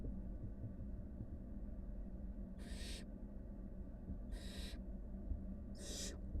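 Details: From a wild brood of five barn owl nestlings with their mother, a quiet stretch of low hum gives way to three separate snoring hisses, spaced about one and a half seconds apart.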